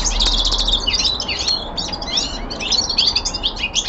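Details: Young male common linnet kept at home sings a rapid, varied twitter, mixing crisp chirps, short buzzy trills and rising whistled notes in a continuous chattering flow.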